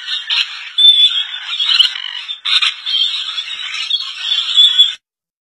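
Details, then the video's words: A colony of rainbow lorikeets in Indonesia gives dense, grating screeches and squeals. Many birds call over one another in choppy bursts that run almost continuously, then end abruptly into silence. "Rainbow lorikeet Parrots Colony"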